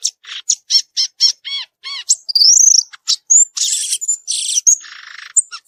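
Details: Wild violaceous euphonia in song, starting with a steady series of ringing, arched harmonic notes, then sliding whistles, dry buzzes and a harsh rasping burst near the end.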